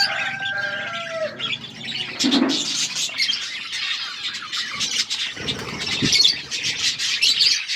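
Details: Budgerigars in an outdoor aviary chirping together: overlapping high twitters and warbles in a busy flock chorus, with a few drawn-out whistled notes at the start and a soft low coo near the middle.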